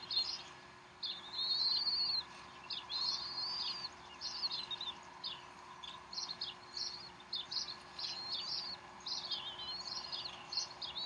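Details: Mother bald eagle feeding young at the Decorah nest, 12 April 2012, 3:10 pm Central Time; long run of high, piping chirps and downslurred whistles, some notes run together, steady low hum beneath.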